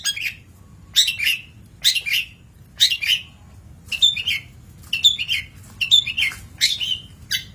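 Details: Long-tailed shrike master song: rasping, descending chatter notes in pairs and triplets, about every second, some with a short whistled accent, over a soft background hum.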